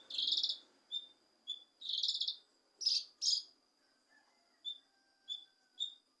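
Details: Cucak kinoi leafbird singing, played to stir a reluctant kinoi into song: dense buzzy trills alternate with sharp high notes and short piercing chips repeated at intervals.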